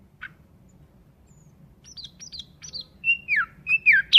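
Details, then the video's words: Nightingale song that begins with sparse, soft high chirps and grows into loud, clear whistled notes sliding downward, each repeated with rising strength toward the end. "Nightingale bird singing Beautiful"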